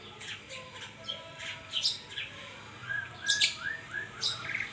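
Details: White-rumped shama singing: a loose series of clear, down-slurred whistles mixed with harsh, buzzy bursts, roughly one phrase every second or two, over a quiet background.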